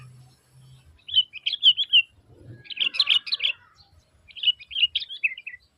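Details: Sooty-headed bulbul, calling loudly to lure other bulbuls into answering; three bursts of rapid, bubbly chirping notes, each burst about a second long, separated by short pauses.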